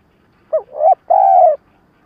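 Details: Caged lure spotted dove calling to draw wild birds, giving a short clipped note, a rising slurred note, then a long level coo, in a stuttering three-note phrase with quiet surroundings.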